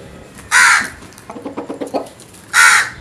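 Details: Crow calling in the morning: two loud, harsh, hoarse caws about two seconds apart, with softer rapid clucking notes between them.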